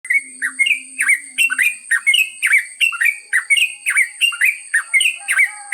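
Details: Yellow-vented bulbul singing the long ropel style: fast bubbling chatter of short, liquid, up-and-down notes in tight bursts, repeated steadily, over a constant thin high-pitched whine.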